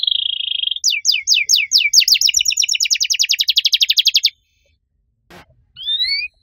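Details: Canary song, loud and with unique phrasing, starting with a flat trill, then accelerating rapid downslurred notes becoming a dense buzzy rattle, a pause with a brief click, then two rising whistles.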